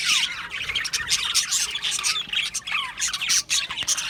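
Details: Budgerigars in an aviary colony chirping together: a dense, continuous chatter of high, quick chirps, squawks and short warbled notes overlapping throughout, with sharp peaks from individual birds.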